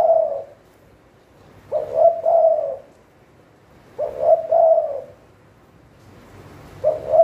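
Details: Caged spotted dove used as a decoy for trapping, repeating low cooing phrases of a short note and a longer drawn-out coo roughly every two and a half seconds.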